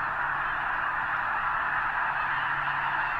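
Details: Huge flock of snow geese gathered near the eastern end of Potholes Reservoir, likely before migrating north to breed on arctic tundra; a dense, unbroken roar of overlapping honking calls with no pauses.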